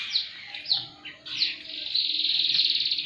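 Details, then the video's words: Canary singing, used as a tutor recording for silent birds: a few sharp downward-sweeping whistles, then a steady fast rattling trill held to the end over faint background hiss. "KENARI GACOR ATAS BAWAH || cocok buat pancingan kenari macet bunyi & masteran burung"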